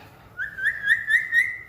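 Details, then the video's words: Pet talking parrot copying a cat's meow, given as a steady whistle that starts with a short rise and then pulses four times in loudness while the pitch stays nearly even, with little background noise. "Talking parrot"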